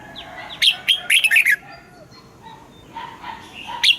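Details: Caged red-whiskered bulbul morning song with wild-type double notes: a burst of loud, rich warbling whistles in the first half, then soft background chirps and one final sharp note.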